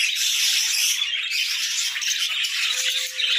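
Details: Morning budgie flock chatter, a rattling, hissy wash of high warbles and chirps from many birds, steady and loud.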